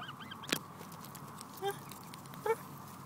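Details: Hungry Canada goose giving short honks, two brief nasal calls about a second apart after a sharp click, over a steady low background hum.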